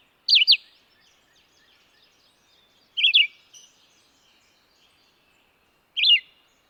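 A red-eyed vireo sings short, slurred whistled phrases, each rising and falling, spaced about three seconds apart over a quiet background.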